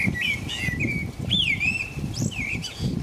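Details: Common blackbird singing at about 5 a.m. in the middle of the night, in the rain, in England: mellow fluted whistles, one sliding phrase after another, ending in thin high squeaky twitters, over steady low rumble of rain and wind.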